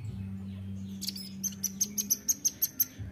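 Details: Nuthatch lure sound meant for wild birds: a rapid string of about a dozen sharp, very high, thin notes delivered evenly over under two seconds, over a steady low humming drone.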